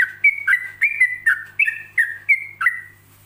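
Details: Tutor recording of a yellow-vented bulbul in relaxed 'ropelan' style for other birds to learn from: rapid chain of rich whistled notes, each swooping up or down, about ten in three seconds before fading to quiet hum.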